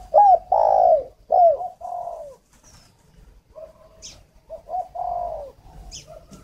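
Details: Luring decoy spotted dove from Ba Vì district, Hanoi, Vietnam. It gives loud, close coos with a sharp upward inflection, then quieter short notes and another drawn-out coo, while a small bird adds a couple of high thin chirps.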